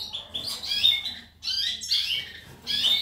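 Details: Short goldfinch song burst: liquid twittering notes and a clear high whistle, in three quick phrases separated by gaps.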